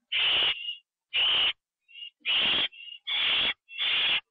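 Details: Owls at a nest on the night of 9 October 2011, 9:54 PM, after a bird was brought in as prey; loud rasping hiss-screeches roughly once a second, with brief thin whistled notes between them.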